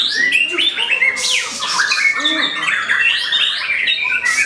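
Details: Singing against a rival, a white-rumped shama pours out rapid whistled phrases mixed with rasping bursts and sharp sweeping notes, densely packed with barely any pause.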